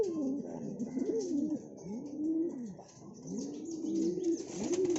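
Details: Siraji breed of fancy domestic pigeon giving clear repeated coos, each a swelling, arched note that rises and drops, delivered in a steady series of about five phrases with short gaps between.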